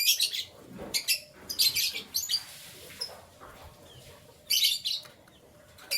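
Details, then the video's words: Canary heard in the morning, giving bright high chirps and short trilled bursts in several clusters separated by quiet gaps. "Canary Chirping Sounds"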